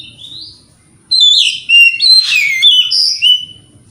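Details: White-rumped shama singing in the morning to draw answers from rival birds: a soft rising whistle, then a loud, rapid tumble of clear whistled notes mixed with raspy chatter.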